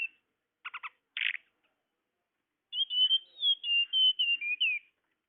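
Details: Tledekan, a blue flycatcher, as a bird lure: a triple buzzy chip and a harsh rasp, then after a pause a flowing phrase of whistled notes rising and falling.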